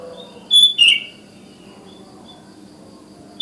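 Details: Wild sooty-headed bulbul, morning, calling to other bulbuls: a quick pair of bright, slurred whistled notes, the second dropping in pitch, followed by near silence and a soft background hum.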